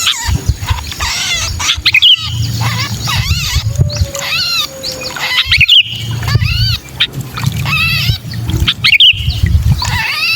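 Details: Distress screeches of a pinched sooty-headed bulbul, known as kutilang kejepit and used as a lure call: dense run of rasping, harmonic-rich squawks with sharp overloaded peaks, over continuous low-pitched background noise.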